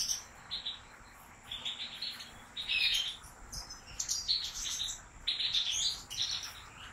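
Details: Caged European goldfinch from a breeder's line delivering lively high twitters, tinkling chirps and short nasal trills strung into a rapid, varied song that runs almost without pause.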